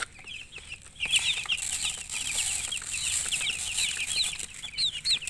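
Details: Baby chickens cheeping steadily beneath a broad hiss of rustling, their high thin peeps running continuously, with a few clearer downslurred calls near the end.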